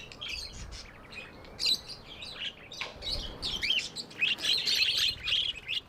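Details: Pet budgerigars chirping, described as love sounds: busy overlapping high warbles, squeaks and short tweets from several birds, dense and irregular throughout with louder bursts near the middle and end.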